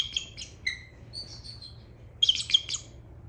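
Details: Bald eagles at a raptor rehabilitation centre and sanctuary in Central Florida, perhaps wanting their lunch, give thin, high chirping notes in short stuttering bursts ending in a quick run of piping chatter, with a faint low hum behind.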